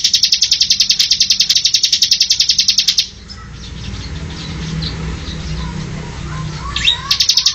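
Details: Ciblek, or Bar-winged prinia, semi song used as training material for cage birds. A rapid, shrill trill runs for three seconds, then a pause with background hiss, and the trill resumes briefly at the close.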